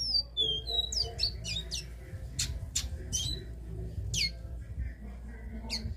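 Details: Caged capped seedeater giving classic three-note song: a few whistled notes at the start, then a run of sharp, rapid downward-sweeping chips, with low room hum beneath.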